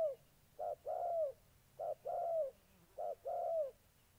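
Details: Molting decoy spotted dove squaring off with an aggressive wild-caught bird, Gia Lai, Vietnam, 14 August 2020: three clear cooing pairs, a quick note then a longer downslurred one, spaced just over a second apart.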